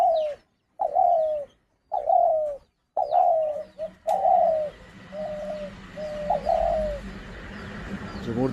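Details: Decoy Spotted Dove kept caged for hunting, calling the jhumur repeatedly. Hoarse descending coos come in quick succession, then softer spaced coos over a low background hum and a man speaking quietly.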